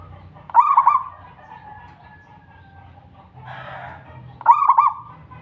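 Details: Melodious song of a local zebra dove, kept to lure other doves to sing: two rolling phrases of rapid soft coos about four seconds apart, with a brief rustling noise between them.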